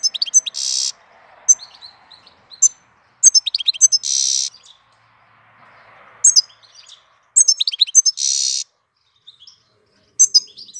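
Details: European goldfinch singing in April: bright, high twittering phrases broken by loud buzzy, rasping notes, in three bursts about every three to four seconds, with a faint low hiss between them.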